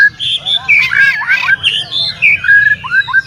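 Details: Oriental magpie-robin song played to provoke and agitate other magpie-robins: a quick run of varied whistled and squawky notes between low and high pitches, mixed slurred phrases, with a steady low hum underneath.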